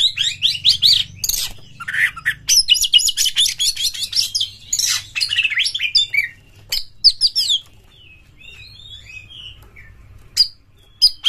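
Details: Lure song of an Oriental magpie-robin, energetic and full of varied material: several seconds of rapid, scratchy, mixed notes and whistles, then a quieter stretch of soft twittering with occasional sharp chips.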